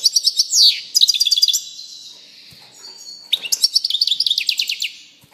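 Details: European goldfinch in song: lively rapid twittering with a sharp downward slur, sustained thin high whistles, and then a renewed burst of quick, bright, chattering notes.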